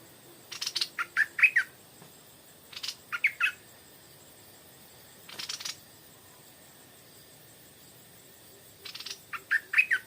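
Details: A Stripe-throated Bulbul, taken out around 4 pm during nesting season as a caller bird, sings short, bubbly phrases of three to five liquid notes every two to three seconds, each opened by a harsh scratchy burst; quiet background.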